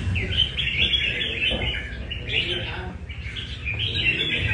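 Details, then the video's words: Red-whiskered bulbul from Nam Đông practising at a café in Đà Nẵng sings short bursts of lively, slurred whistles and chirps separated by brief gaps, over people talking in the background. "Cb Nam Đông Test nhẹ cafe-Chào mào cafe"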